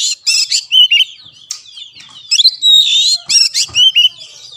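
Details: Oriental magpie-robin (kacer) master song to stimulate a non-singing caged bird. Quick, sharp chirps and warbling whistles come in clusters, with a long sweeping whistle near the middle.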